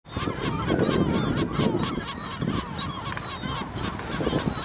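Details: Gulls on the dune of Helgoland, Germany, a busy colony of overlapping harsh, wailing and yelping calls over strong rushing wind or surf noise.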